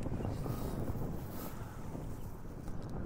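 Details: Steady wind rumble and boat engine noise on open water, low and continuous, with no animal voices heard.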